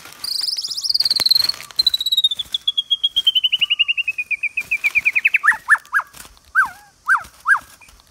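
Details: White-rumped shama song used for daily voice training: a fast trill sliding gradually down in pitch over several seconds, ending in a few separated, emphatic downward-swooping whistles.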